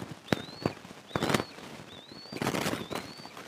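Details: An Eastern imperial eagle nest on July 22, 2024, where an adult feeds two eaglets, shifting prey from the older chick to the younger; a nest camera catches long upslurred whistles with loud knocks and rustling between them.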